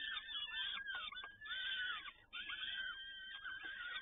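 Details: Peregrine falcon at a nest in Toruń, recorded 7 May 2019 in late afternoon while both parents feed. Harsh, wavering, harmonic calls run almost continuously, with short gaps and a few sharp knocks; the sound is muffled and lacks high tones.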